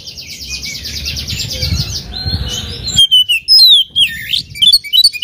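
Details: Oriental magpie-robin, a kept bird being provoked to sing against a rival: a harsh buzzy rasping phrase for the first three seconds, then clear high whistled notes sliding up and down, with quick chirps.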